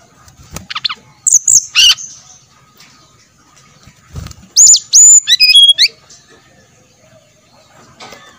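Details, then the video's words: Brown-chested jungle flycatcher song played as a lure to prompt singing: short high sharp notes, then a fast phrase of clear whistles descending in steps, with quiet gaps and faint rustling between. "pancingan srdc biar bunyi, sikatan"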